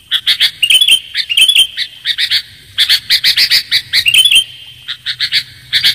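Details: Clear sooty-headed bulbul calling for bird luring: dense runs of sharp, bright chirps and bubbly phrases packed closely together, with brief pauses between bursts and a soft low hum.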